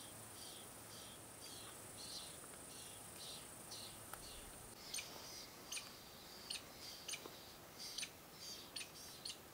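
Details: Lewis's woodpecker chicks calling from a nest hole as adults visit, Antelope Valley, Sierra Nevada, California, 2 July 2020: faint, rapid, high chattering bursts about once a second, then sharper squeaky notes; steady high insect drone in the first half.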